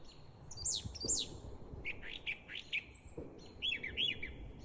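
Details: Brown thrasher (Toxostoma rufum) song: varied phrases of high, slurred, downward whistles and short chirpy notes, each pattern given in quick pairs, over a low rumble, with distant gunshots from a nearby military base.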